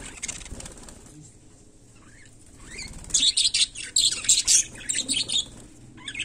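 Budgerigar giving a run of harsh, high, scratchy chirps in quick bursts over about two seconds, after a quiet start with faint rustling.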